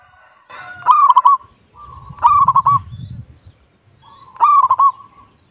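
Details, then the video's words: Local perkutut, a zebra dove, singing vigorously. Three bright cooing phrases, each opening with a hard note and rolling into a rapid series of evenly pitched pulses. Softer coos drift in the background, and a rumbling noise sounds in the middle. "PERKUTUT LOKAL GACOR"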